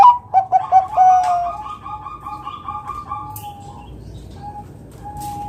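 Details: Zebra dove, a Bangkok-type bird kept to lure other doves into singing, gives a loud run of short cooing notes near 800 to 1000, then a long steady hum-like tone with quieter faint notes trailing after.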